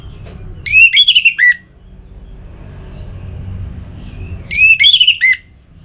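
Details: Orange-headed thrush (Geokichla citrina) song used as a training sound to make captive birds sing: two rich, varied phrases of sliding whistles and rapid trills, each under a second long, with a low hum beneath.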